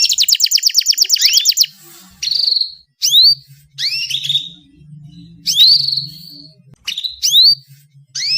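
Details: Female canary calls meant as a lure to get males singing: a short rapid buzzy trill opens, then spaced, sharp rising whistled call notes, some drawn out, with a low background hum.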